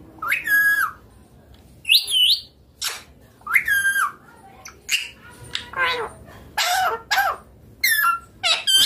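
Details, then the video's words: Green rose-ringed parakeet kept as a pet, calling while eating chilli; a fast series of loud whistled squawks and harsh chattering notes, roughly ten bursts in quick succession. "Ringneck green parrot natural sounds talking eating chilli"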